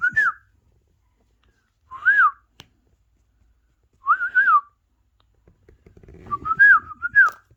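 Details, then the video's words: Indoor pet parrot watching parrot videos on a mobile phone. Short whistled phrases that rise and fall repeat roughly every two seconds. The last bursts come in quicker succession over a faint low rumble. "Best Trending Parrot Talking"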